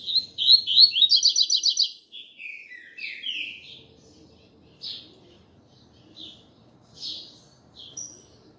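A Variable seedeater sings a bright, fast run of high chirps for about two seconds, then delivers single sweet whistled notes spaced about a second apart.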